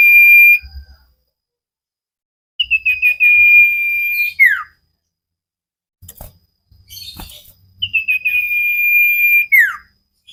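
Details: Common iora (cipow) singing hard on a training recording for cage birds: a held whistle, then two full phrases of rapid short notes swelling into a long level whistle that falls away sharply, with knocks and rustling between.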